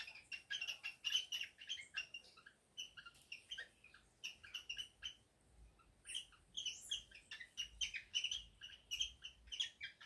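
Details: Male cockatiel courting his female for mating after the pair finished preparing their nest, giving rapid chattering warbles and sharp chirps, bursts of notes every second or so with brief pauses.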